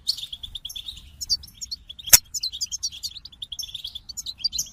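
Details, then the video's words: Goldfinch twittering song of rapid, scattered high chirps and little buzzy trills, interrupted once by a sharp click, with faint low rumble beneath. "The Captivating Call of Goldfinches"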